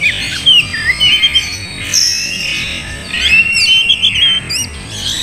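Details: Oriental magpie-robin song played to provoke a reluctant bird into singing and fighting, slowed: varied whistled phrases and slurred notes between two and five thousand cycles, with brief sharp upward flicks higher up, in a dense overlapping texture.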